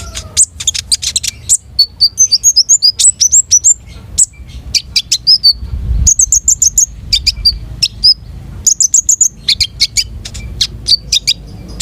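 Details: Long-tailed shrike in lively 'gacor' song with a rich repertoire: rapid bursts of high, sharp chattering notes mixed with short whistled phrases and rising slurs, delivered almost continuously with brief pauses; faint low background rumble.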